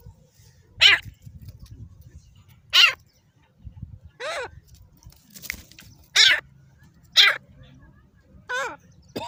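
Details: Hand-fighting desi Dakni grey francolin repeating loud, coarse, rasping calls every one to two seconds, seven in all, with faint low rumbling and a brief hiss.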